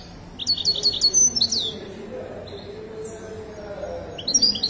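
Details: Goldfinch of the Moroccan Widani type, recorded at a Casablanca bird market: a brisk string of high, clipped notes, then a drawn-out bending note, a pause with soft background noise, and another chirping phrase.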